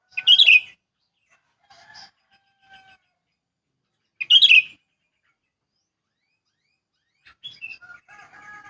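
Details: Sooty-headed bulbul in a wild, rural countryside setting. Two loud, bright chattering bursts about four seconds apart, with faint softer notes and a brief twittering phrase between and after them.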